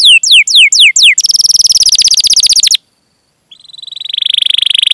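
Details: Canary singing long cuit-cuit rolls meant to coax other canaries into song; a few loud falling whistles, then a very fast high trill, a brief silence, and a rising buzzy trill.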